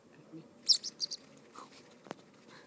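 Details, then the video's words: Woodpecker chicks being fed beg with a quick burst of high, buzzy chirps, three or four notes in under a second, followed by a soft lower note and a sharp click. "Woodpecker chicks"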